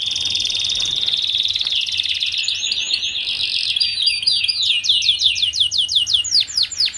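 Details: Canary tutor song aimed at young canaries kept together: a long rolling buzzy trill that drifts slightly lower, followed by bright chirps and a rapid series of sharply descending whistled notes.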